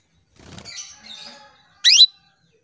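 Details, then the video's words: Female canary calling to males, a lure recording meant to set male canaries singing: one short, loud, sharply rising chirp sweeping upward into a high note near the end, preceded by faint soft rustling and chatter. "PANCINGAN KENARI BETINA MEMANGGIL JANTAN"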